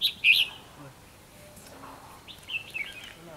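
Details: Trapping contest with a red-whiskered bulbul, 24 December 2015: a loud, warbling phrase opens, followed after a pause by a softer run of bright chirps.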